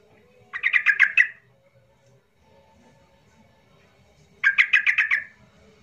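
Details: Yellow-vented bulbul song played to stir quiet birds into singing: two short bubbly phrases of rapid gurgling notes, about four seconds apart, with quiet between.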